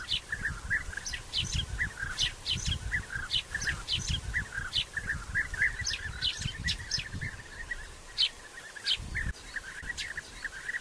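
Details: European bee-eaters at their nest burrows in early June 2021, while the burrows are still being dug and the birds exchange courtship gifts and mate. Many rolling, liquid, repeated calls overlap in a busy chorus, with low rumbling background noise.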